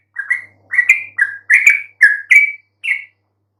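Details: Song of a yellow-vented bulbul, aimed at getting quiet bulbuls to answer: a brief string of warbled chirps in small clusters, some notes sliding upward and ending in a clear trill.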